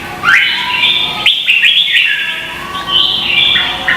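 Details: Red-whiskered bulbul in contest singing, Vietnam, used as lure song to stimulate other birds: a sharp rising whistle, then a run of clear warbled notes and a steady high whistled phrase.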